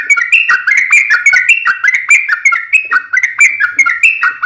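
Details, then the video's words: Sooty-headed bulbul in chatty, long rapid-fire song used as a lure to make other bulbuls reply: dense run of short bubbly whistled notes, each dropping or rising, tumbling together without pause. "SUARA trucukan gacor TARUNG ROPEL PANJANG pancingan trucukan agar bunyi"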